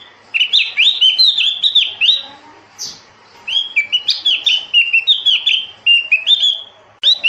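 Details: Javan grey-throated white-eye, a bird of high mountain forest above 1,500 m, singing a rapid run of high, down-slurred chirpy notes in two bursts separated by a short pause, with faint lower twitters beneath.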